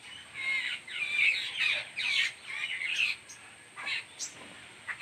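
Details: A mother bird feeding her chick, which keeps up a nearly continuous stream of rough, wheezy squeals that fade into a few thin, clipped notes at the end.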